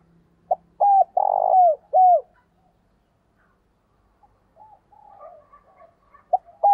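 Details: Spotted dove used as a decoy to excite wild doves, giving one phrase of quick clipped notes, a buzzy rolled coo and two descending hoots. Quiet chirping from other birds fills the pause before the next phrase starts.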